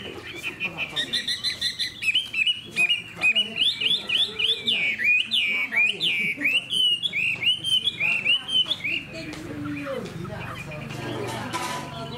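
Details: Caged hwamei with a fanned tail, described as calm-tempered with a fine voice: a rich stream of loud whistled phrases, rapid rising and falling slurs repeated several times a second, fading into softer notes and background noise near the end.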